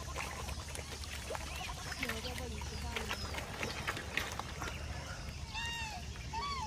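Black swan giving a few clear bugling notes near the end, arched and trumpet-like, over a steady low rumble and busy background chatter of other waterfowl.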